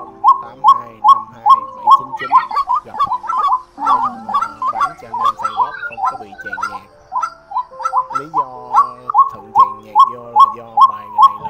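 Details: White-breasted waterhen trapping lure for night netting in the migration season: a long run of loud, croaking mid-pitched notes, a little over two each second, with overlapping calls and a faint steady hum.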